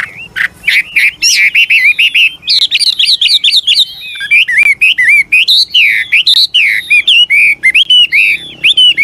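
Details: Varied, constantly changing song of an old wild Chinese hwamei, used to prompt young birds to sing; loud bursts of whistled notes, sweeping up and down, delivered in quick succession with brief pauses.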